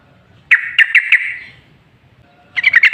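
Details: Bulbul-lure recording of a yellow-vented bulbul: a string of four bright, gurgling notes fading into a hum, then a burst of fast warbled notes after a short quiet gap.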